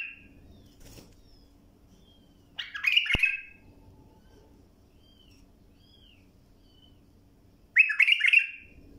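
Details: Bulbul tutoring song: two loud bursts of bubbly, jumbled whistles about five seconds apart, with faint thin calls between them and a low background hum.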